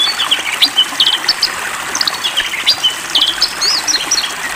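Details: During a water bath, an Oriental magpie-robin (poci type) delivers a busy run of high whistles, clipped chirps and rapid note clusters. Steady spraying water rushes underneath the whole time.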